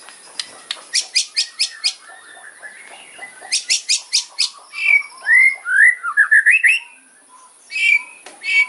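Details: White-rumped shama sharp fighting song: series of clicking sharp notes, then rolling rising and falling whistled warbles, ending with short high chips.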